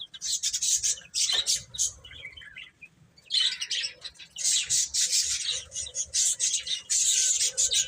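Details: A group of baby chickens feeding and playing peeps shrilly and almost without pause, the high chirping thickening after a short quieter stretch.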